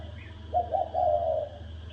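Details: Spotted dove giving a fighting call in the thổ đồng style, which is meant to rouse males. One low, hoarse coo phrase: a short double note, then a longer drawn-out note, over a steady low hum.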